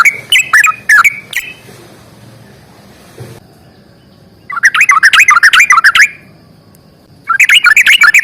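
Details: Sooty-headed bulbul in a lively fighting song with long rapid trills. Three brief whistles, then a quiet pause, then dense one-second bursts of fast chattering, warbling notes.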